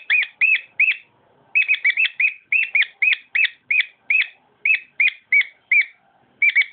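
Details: Song of a household cockatiel, made of evenly spaced bright chirps with a short pause near the start. A quick cluster of notes then gives way to regularly repeated bent whistles.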